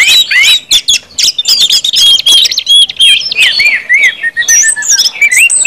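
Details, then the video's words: Ngeplong-style song of an orange-headed thrush, meant to make other birds sing quickly: quick succession of arching whistles, sharp chirps and trilled notes, steady and busy to the end. "KUMPULAN ANIS MERAH NGEPLONG BIKIN CEPAT BUNYI DAN GACOR ANIS MERAH"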